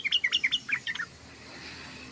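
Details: Sooty-headed bulbul chattering: seven quick, clear, slurred chirps at a steady pace, then fading into quiet background hiss.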